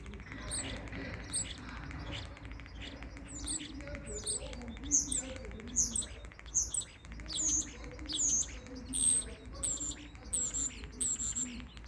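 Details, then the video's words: Common starling calling with thin, high whistled notes repeated roughly every second, set over softer lower warbles and faint background voices. "Starling Bird Call | Common Starling Bird Sound"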